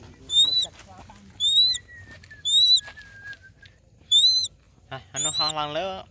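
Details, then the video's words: Crested goshawk hunting, giving loud, shrill, slightly rising squealed notes about one per second, with a thin whistle between them and a lower, rougher voice at the end. "crested goshawk hunting"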